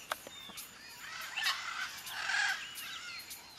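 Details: Macaws at a nesting colony in dead buriti palm trunks beside a dam in Acreúna, in the afternoon, give harsh, raucous squawks from several birds overlapping almost continuously, with a few sharp clicks early on. Parakeets and parrots also nest there.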